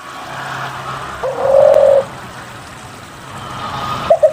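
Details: Spotted dove in frequent song, used as a lure to prompt reluctant doves to sing: one steady, mid-pitched coo held for nearly a second. A brief clipped note follows near the end over low background hum.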